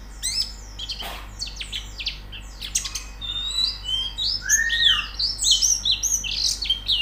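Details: Training recording of white-eye (pleci) song to encourage singing with beak open; sharp clicks and chips give way to loud, rapid, high warbling, with a sliding lower whistle midway.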